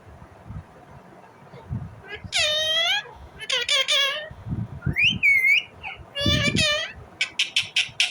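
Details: An Indian ringneck parrot calling in its natural voice: long screechy arched squawks, a whistled rising-falling note, more rasping squawks, then quick sharp chirps at the end, with faint low knocks.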